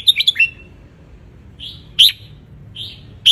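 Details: Wild Ratchaburi-type red-whiskered bulbul in the sun, singing as a tutor for youngsters; a fast chirpy trill opens, then two whistled phrases each capped by a sharp bright note.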